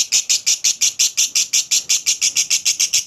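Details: A lovebird's ngekek chatter, played to prompt other lovebirds: sharp, shrill bursts repeated evenly about five times a second for three seconds, each note loud and grating with a quick fall-off.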